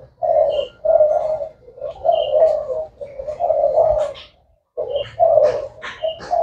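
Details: Thai black spotted dove, a bird said to call all day long, delivering mellow, low-pitched cooing phrases in runs about a second long, with a short silence near the end and light high chirps.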